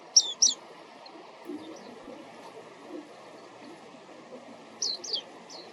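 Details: Wild Japanese white-eye filmed with a compact camera during a walk: two quick high, thin chirps at the start, near-silence in between, then two more sharp chirps and a softer one near the end.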